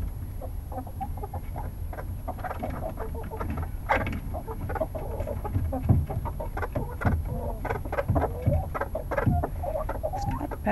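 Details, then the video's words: Several chickens settling into their coop to roost at night, giving a dense stream of soft, low clucks and short murmuring notes over steady low rumbling background noise. "Chickens Going to Bed, Relaxing Chicken Coop Noises"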